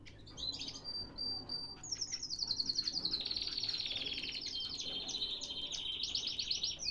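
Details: Canary singing in Baghdad, Iraq, from a breeder's birds: a sustained run of rapid buzzy trills and rolling high notes, steady and continuous after a few opening chirps, with faint low background hum.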